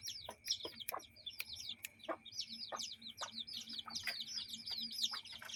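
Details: Young chicks with adult chickens around a yard and coop. Continuous streams of high, slurred peeps, several birds at once, punctuated by brief clicks and soft lower clucks.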